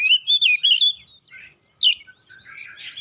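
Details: Kacer (oriental magpie-robin) singing insistently to provoke rivals into song: rapid warbled whistles in a rippling run, a pause, then softer scratchy notes and a final rising whistled phrase.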